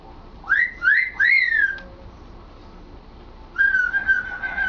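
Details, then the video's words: Captive male African grey parrot practising words: three quick rising whistled swoops in succession, a pause, then a long level whistle with a slight warble. "African Grey Sambuka trying to talk and succeeding!"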